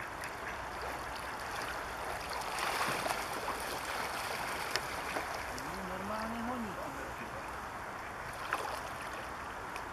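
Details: A Bewick's swan at České Budějovice, Czech Republic, in February 2014 gives one low, wavering, slightly nasal call, dipping and rising briefly, against steady rushing water or wind noise. Finding: Tundra swan.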